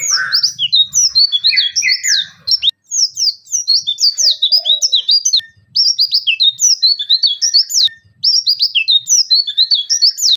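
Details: Oriental white-eye delivering full 'nembak-nembak' material: long volleys of very rapid, high, sharply sweeping chirps broken by short pauses, each burst a tight cascade of twittering notes.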